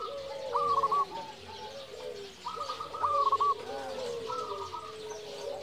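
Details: Local zebra dove song, used as a lure to provoke quiet or stressed doves into singing and arouse them: rapid, stuttering, rippling coos in short bursts about every two seconds, with lower overlapping cooing notes beneath and a soft background hiss.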